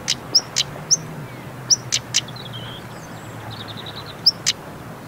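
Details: Female European stonechat calling in autumn, Golfe du Morbihan regional nature park, Brittany, 17 October 2021, unusually warm at 23°C: sharp hard clicking tacks alternating with short high whistles, irregularly spaced, faint distant twittering midway and a low background hum.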